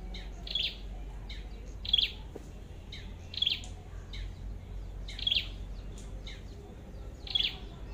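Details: Red-headed flowerpecker during trapping with a decoy: a steady run of sharp, high, dry chip notes repeated roughly every one and a half seconds, with quieter ticks between over a low background hum.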